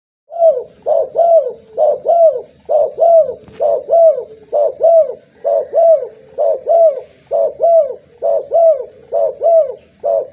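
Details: Spotted dove of the blorok type cooing persistently: a steady series of low, mellow, rounded coos, roughly one per second, with a faint constant high electrical whine in the background.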